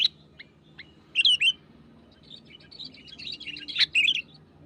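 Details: Wild sooty-headed bulbul singing vigorously while pressing a rival: a few short sharp chirps, then loud bubbly, warbled phrases of clipped notes in two bursts, with busy chattering between and a faint low hum beneath.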